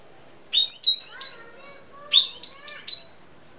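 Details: Sumatran sooty-headed bulbul gives two short, high, chirpy phrases, each a run of about four bright rising-and-falling notes, with faint lower whistles beneath and quiet gaps between.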